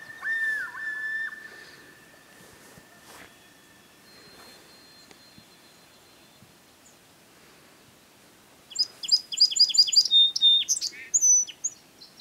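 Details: A song sparrow sings a lively burst of bright, rapid notes with trills near the end, at a campsite in the Boundary Waters Canoe Area in July 2013, where it sang all day; a long wavering whistle from a family of loons nearby opens the recording.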